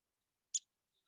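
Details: A Downy Woodpecker gives one sharp, high, clipped 'pik' call note, over in a split second, with near silence around it; a familiar woodland call.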